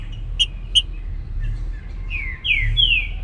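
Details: Trinca-ferro (Saltator similis), a bird of the Baruc song style, singing in the morning: two short bright chips, then a phrase of three loud descending slurred whistles near the end, over low background rumble.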